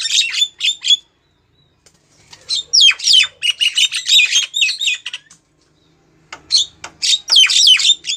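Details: Female Javan myna calling a male, played as a lure: loud bursts of harsh squawking chatter separated by silent pauses, notes coming roughly three per second.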